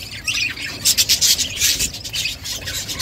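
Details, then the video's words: Mother budgerigar feeding chicks, with pulsed harsh squawks of about seven quick bursts in the middle second, then softer chatter. "Budgies mother feeding chicks birds chirping sound"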